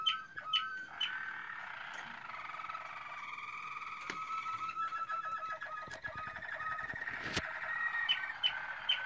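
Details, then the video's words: Song of a Malinois Waterslager canary, 2016, with varied rolling tours, low whistled phrases and quick bubbling runs, broken by a few sharp clicks, one loud snap near the end. "Malinois Waterslager 2016"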